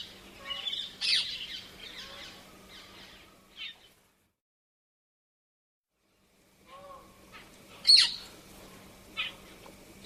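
Painted spurfowl giving harsh, high chirring calls with a sharp loud note, a three-second pause, then another burst; a faint low hum runs underneath.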